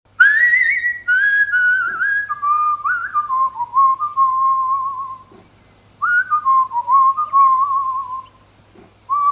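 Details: A baby cockatiel whistles clear, gliding notes that slide down from high to a steady lower pitch.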